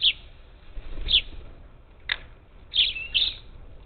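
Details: Parakeets, up to ten, visiting a Gulf Coast bird feeder on the outskirts of Houston, Texas, on 27 July 2021; short, sharp, high chirping calls in scattered bursts, a closely paired couple near the end, over faint low background rumble.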